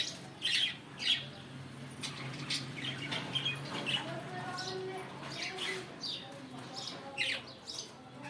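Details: Morning song of budgerigars, a busy mix of quick chirps, clicks and short squeaky notes spread through the recording, with a steady low hum underneath.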